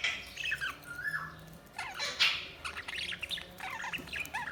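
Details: Budgerigars chirping and warbling: a busy stream of short squeaky chirps, sliding whistles and harsh squawks in uneven bursts, with brief quiet gaps between phrases.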